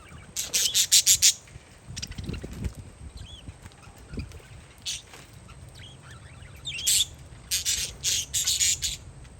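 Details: Parakeets chirping outside on a windy day: a rapid burst of about six loud, harsh chirps opens the clip, sparse calls follow, then another quick series near the end, with low wind noise.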